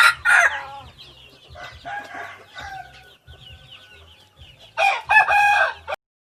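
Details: Red junglefowl hybrid rooster crowing: a long, drawn-out, wavering crow with a rough edge and harmonics, followed by a second loud burst near the end, against a noisy background.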